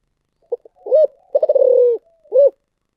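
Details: Spotted dove giving one thổ sấm style cooing phrase: two short clipped notes, a round coo, a long pulsing rolled note gliding lower, then a final deep coo, in a quiet setting.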